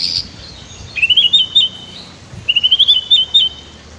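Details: White-rumped shama master song for training birds, recorded with river sounds: two short high whistled phrases, each a quick series of rising and falling notes, separated by a brief pause and preceded by a thin high note.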